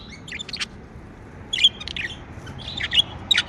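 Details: Pet budgerigars chirp in soft high warbles and squeaks, grouped into short bursts with brief gaps, over a faint background hiss.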